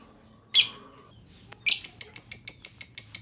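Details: Lovebird lure moving from ngetik to ngekek: a single harsh chirp, a pause of a second, then a rapid, shrill series of evenly pulsed ticks building into a steady trill.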